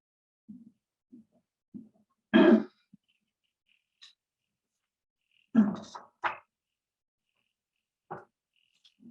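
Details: California condor giving short, low grunts at uneven intervals, broken by two louder, rasping hiss-growls, pig-like and at one point almost a lion-like roar, with a quiet room around it.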